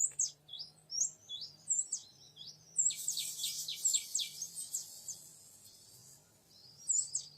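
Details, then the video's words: Young wild male oriental magpie-robin in forest during luring: spaced high whistled notes, a dense rushing burst of rapid descending notes in the middle, then quieter with a final whistle, low hum beneath. "Memikat burung kacer muda hutan jantan"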